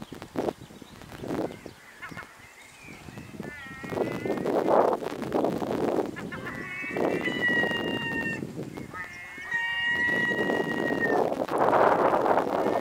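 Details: Gulls at dinner time in Bluestone, Pembrokeshire, Wales: several long, level wailing cries with stacked tones and short yelping notes between them, over loud rushing, rustling background noise and some wind.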